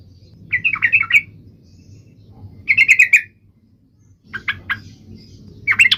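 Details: Sooty-headed bulbul (trucuk) in lively full song: three bursts of bubbling, chattering warbled phrases in about six seconds, separated by pauses, with a steady low hum underneath.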